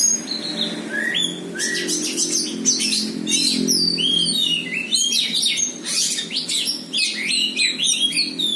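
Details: Champion Oriental magpie-robin meeting a rival and fighting back at once; loud, dense run of sharp rising and falling whistles and chattering notes, almost continuous, over a steady low hum.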